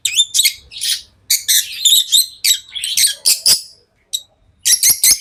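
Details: Lovebirds chirping continuously: shrill squeaky notes and scratchy chatter following each other quickly, with a brief quiet gap before a final burst.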